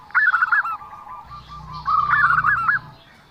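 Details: Zebra dove giving an unusual call: two bursts of warbled, wavering notes, each followed by a flatter trailing tone, with a low hum underneath.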